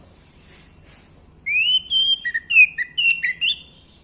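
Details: Orange-headed thrush singing to rouse males into song: after a soft hiss, a rapid string of clear whistled notes, some rising and some level, ending in a brief upward slur.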